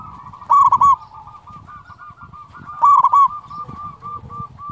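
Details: Local zebra dove with a powerful voice, meant to stir quiet doves into singing: two loud bubbling cooed phrases a little over two seconds apart, joined by a continuous soft trill of repeated notes.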